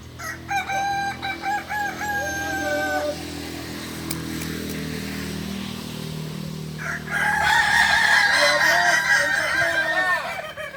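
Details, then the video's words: Kukuak balenggek roosters at a singing contest final in Ampang Kualo, Kota Solok, Sunday 8 September 2024; choppy crowing notes, a stretch of low engine-like rumble, then a dense, loud overlapping crow. "Final latberan ayam kukuak balenggek"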